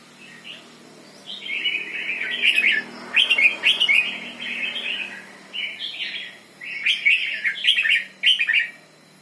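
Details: Doubled song of a red-whiskered bulbul: several rich, gurgling warbled phrases of mid-pitched slurred whistles, each about a second long, separated by short pauses, with sharp clicking notes inside some phrases.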